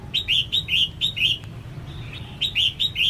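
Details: Female red-whiskered bulbul calling to spur males into song. Clear upslurred whistled notes come in quick pairs and trios, about two per second, with a short pause midway, over a steady low hum.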